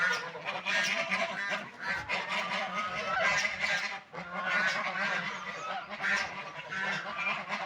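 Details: Several ducks feeding and drinking water, giving loud nasal honks and raspy quacks in overlapping bursts, with brief lulls near two and four seconds.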